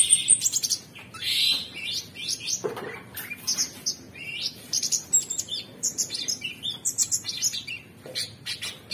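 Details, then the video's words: Orange-bellied Leafbird, called cucak cungkok, singing a dense medley of high chattering notes, scratchy slurs and rapid chips, rising and falling almost without pause. "Cucak Cungkok Super gacor"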